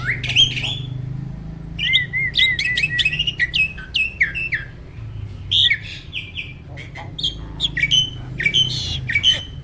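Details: Caged competition starling, a jalak trained with mimicked songs (isian), sings in a Roll, Tembak, Speed style: a loud, varied run of sharp whistles, buzzy bursts and quick downslurred notes, with a soft low hum behind.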